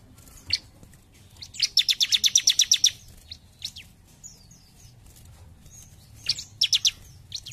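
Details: Bar-winged prinia singing hard in jump shoot style, a fast rattling series of high, sharp repeated notes lasting over a second, followed by quiet gaps, odd thin calls and a shorter closing burst.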